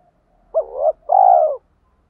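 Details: Spotted dove in the 'hạp bổi' calling voice. One clear phrase: a short hooked note that trails into a softer hum, then a longer, steady, rich coo that fades at the end.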